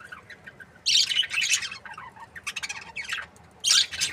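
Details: Budgerigar breeding pair, said to be happy, opening with a loud grating squawk burst, then softer chattering chirps and another sharp burst near the end.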